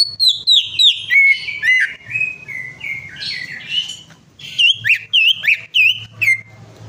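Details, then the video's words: Lure song of a greater green leafbird, played to start a silent bird singing again: a run of loud ringing whistles, a descending chattering warble, then repeated bright looping notes. "PANCINGAN CUCAK IJO MACET PARAH"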